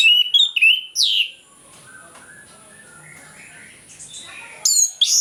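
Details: Morning singing by an orange-headed thrush, used to stir sluggish birds into singing: bright whistled notes and a downward slur, a long near-silent pause, then sharp high whistles resume.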